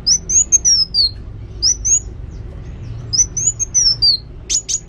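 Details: ['Kolibri wulung sunbird, singing actively: a long wavering high whistle that falls at the end, then shorter two-note phrases, and finally a cluster of sharp high clicks.']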